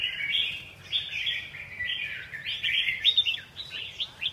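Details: Red-whiskered bulbul giving a continuous, scratchy, chattering warble of rapid jumbled notes with a few brief upslurred whistles, running without pause; a faint low hum sits underneath.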